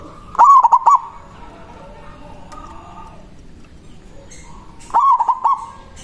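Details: Two stuttered manggung phrases from a local zebra dove, a big-voiced bird used to call rivals, separated by about four seconds of faint background noise; each phrase rolls through quick cooing pulses.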